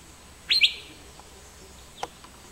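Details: Asian fairy-bluebird uttering a loud, sharp two-note whistle, the notes almost joined, then quiet apart from a single faint click.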